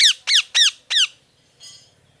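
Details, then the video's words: Parrot giving four loud, harsh, downward-sweeping squawks in quick succession, each about a tenth of a second, followed by a faint, softer call; recorded indoors. "Parrot Chirping Sounds | Natural Parrot Sounds | Parrot Calling Sounds"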